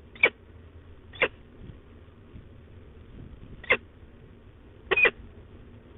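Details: A female Peregrine Falcon at De Mortel, Netherlands, 15 October 2021, grumbling: five short, harsh notes at uneven intervals, one doubled, over a quiet low background hum.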